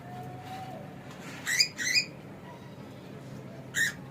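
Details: Pet cockatiel giving short, harsh, rising squawky calls, two close together then a single one a couple of seconds later, over a quiet indoor background.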